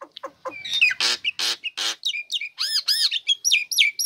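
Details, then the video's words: Female Nias hill myna singing once uncovered, serving to lure lazy birds into singing: harsh broadband squawks followed by ringing arched whistles repeated several times. "Jalak Nias Betina Buka Krodong Langsung Gacor Cocok Untuk Pancingan Burung Malas"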